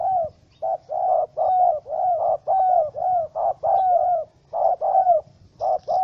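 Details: Wild spotted dove caught in a small rope trap, calling angrily on 04/07/2017. The coos are short, rough and mid-pitched, several bending upward at the end, and repeat almost continuously in an irregular stutter.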